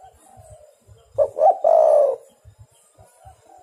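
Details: Spotted dove sounding as a lure to attract wild birds for trapping; one strong phrase of two short hoots leading into a long wavering coo, with soft coos and low thuds around it.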